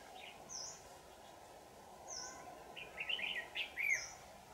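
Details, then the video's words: Red-whiskered bulbul, 'Lưng tôm' variety, aggressive and tail-fanning, recorded while being trapped on 4 January 2018 in Dak Lak: a rapid string of chirpy warbled notes near the end, with thin high whistles repeating about every one and a half seconds. "Bẫy chào mào Lưng tôm hàng căng xòe"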